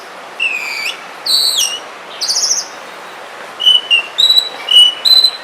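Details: Forest song of an Oriental magpie-robin: loud, clear whistles, some sliding downward, at first spaced about a second apart, then a quicker series of short repeated whistled notes.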